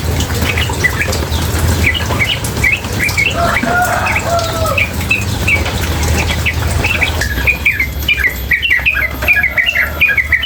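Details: Sooty-headed bulbul, female, calling nonstop near water. Rapid sharp chips and occasional lower whistles run throughout over the low rumble of running water, and the background becomes quieter near the end.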